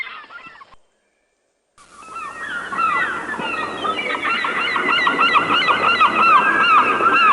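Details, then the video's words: Many birds in nature call together after a pause: rapid, repeated down-slurred honking notes, several each second, overlapping in a busy, continuous flock chorus. "Suara kicau burung di alam"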